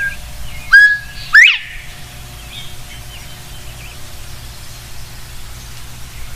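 A Northern bobwhite whistles a clear two-note bob-white: a level first note, then a louder, sharply rising second, over a low steady rumble.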